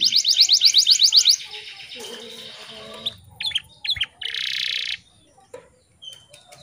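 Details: Canary song as a morning lure for stressed, untrained or post-moult canaries: a bright rapid trill opens, followed by scattered chips, a buzzy burst and quieter clicking notes.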